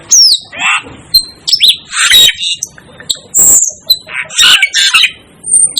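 Asian glossy starling giving a rapid jumble of harsh squawks, sharp metallic whistles and high squeaky notes, loud and irregular over about six seconds.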